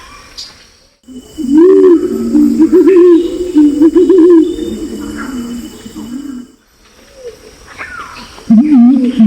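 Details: Lure recording of Pinon's imperial pigeon, male and female, from Nabire in Papua, Indonesia: a long run of deep, quavering, bubbling coos, then silence and a final short wavering coo.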